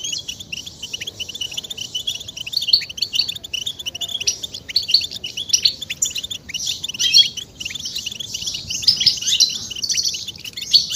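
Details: European goldfinch twittering chorus, played to stimulate males to sing. Fast tinkling notes and rattly buzzes continue without pause, swelling louder in bursts through the second half.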